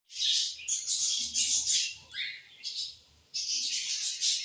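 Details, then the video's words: Several budgerigars singing in the evening: dense, high chattering warble with bright chirps and scratchy notes in bursts, broken by a short quiet pause before the chatter resumes. "𝑩𝒆𝒂𝒖𝒕𝒊𝒇𝒖𝒍 𝑩𝒖𝒅𝒈𝒊𝒆𝒔 𝑺𝒊𝒏𝒈𝒊𝒏𝒈 𝑺𝒐𝒖𝒏𝒅𝒔 𝑰𝒏 𝑻𝒉𝒆 𝑬𝒗𝒆𝒏𝒊𝒏𝒈"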